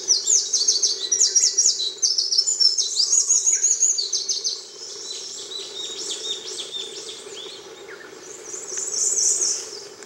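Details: Winter wren of the subspecies mosukei, singing at Tairo-ike pond on Miyake-jima, Japan, on 22 May 2011: a long, rapid cascade of very high, tinkling trills and chatters, loud for four seconds, then softer and continuing, over a steady low hum.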